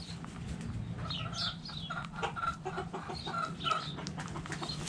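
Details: Backyard hens clucking while playing in the dirt: short, low, gravelly clucks in irregular bursts, with high chirps of small wild birds and a steady low hum in the background.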